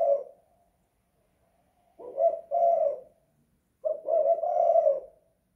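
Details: Spotted dove calling indoors in a house, a breed style named two kuk or one guk; low cooing phrases, a short coo then a longer drawn-out coo, repeated about every two seconds.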